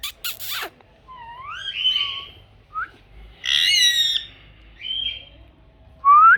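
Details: Rose-ringed parakeet kept as a talking pet. Sharp clicks lead into gliding, rising whistles, a loud rasping squawk in the middle, a short whistle and a final upward-sweeping note.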